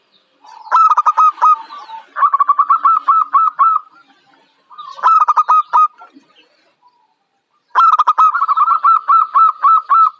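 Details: A young local zebra dove (Geopelia striata) gives rapid runs of soft, staccato coos, three bursts of quick, evenly pitched notes separated by brief pauses, with no other sounds.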